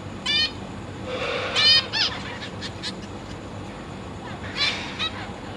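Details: Zebra finch family kept in a cage, parents feeding newly hatched and juvenile young, August 2023: a few sharp nasal beeps and one longer blurred call near the start, then further scattered beeps over a faint background hum.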